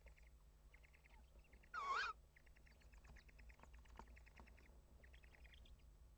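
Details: Tawny owl at the nest on 25 March 2015 at 21:20, as the male brings a mouse: one brief, harsh, wavering screech lasting about a third of a second, over a low steady hum and rows of quick, high ticking chirps.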